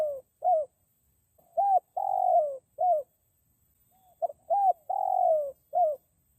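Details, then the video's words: Spotted dove coo used as a lure for wild forest doves. Two full phrases, each a clipped opening note, an arched coo, a drawn-out descending purr and a final short coo, repeated about every three seconds against silence. "PIKAT BURUNG DEKUKUR HUTAN"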